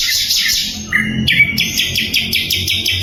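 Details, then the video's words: Sikatan londo flycatcher, song used as training material for songbirds: rapid pulsed high notes, a brief lower whistle, then a quick regular series of bright chips. "SIKATAN LONDO GACOR - SUARA LANTANG & SUPER JERNIH"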